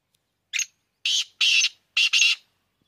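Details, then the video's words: Male black francolin calling, one short note followed by harsh, grating bursts, the last two run together, over about two seconds against silence. "Kala Teetar Ki Awaz"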